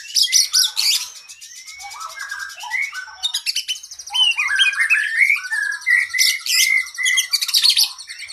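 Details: Master recording of a kacer, or oriental magpie-robin, singing 'gacor' with long fill: loud crackling chatter phrases, a thin rising whistle, then a run of varied quick whistled and buzzy notes.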